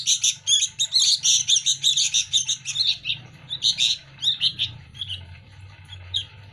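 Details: Sooty-headed bulbul nestlings fed by hand each day, scrambling for food: a fast run of harsh, buzzy begging chirps, then scattered shorter notes over a steady low background hum.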